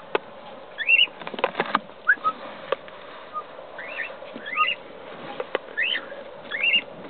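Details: Cockatiel chicks in the nest giving short, upward-sweeping squeaky chirps, about six spread over seven seconds, with scratching, knocking and rustling sounds from the nest around them.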